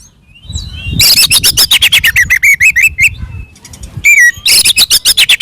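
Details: Oriental magpie-robin singing a fighting song, used to provoke other magpie-robins. A long fast series of sharp scratchy notes sweeps downward, then a single ringing whistle and another rapid chattering burst.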